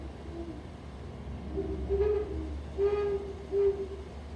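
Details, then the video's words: Great horned owl, Pacific Northwest, giving deep, soft hoots in short runs of low steady notes over a faint hum; the female's hoot is lower-pitched than the male's, so duetting pairs can be told apart. "the great horned owls they actually call at a different pitch the female's hoot is lower than the males"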